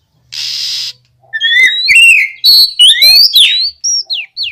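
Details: Oriental magpie-robin song used to coax other magpie-robins into answering: a brief harsh hiss opens, followed by rising whistled phrases, buzzy trills and a run of short downward-slurred notes.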